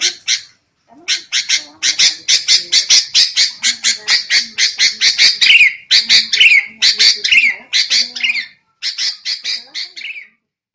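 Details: Agitated sooty-headed bulbul chatter from a bird-trapping lure recording: a long, nearly continuous string of harsh, buzzy squawks, with some notes carrying slurred, descending whistle-like tones, ending after a short break.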